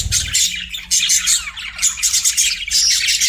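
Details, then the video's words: Pet budgies produce bright, high chirps and whistled squeaks within a busy scratchy warble, almost without pause after a short opening moment. "BUDGIE CHIRPING SOUNDS"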